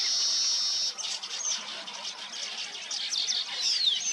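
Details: Weavers at their nests: a sustained high buzzy hiss opens, then many overlapping sharp chirps and downward-slurred whistles continue throughout.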